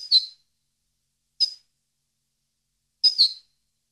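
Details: European goldfinch, a recording meant for teaching captive birds to sing; three short, high, twittering double notes spaced more than a second apart over a silent background.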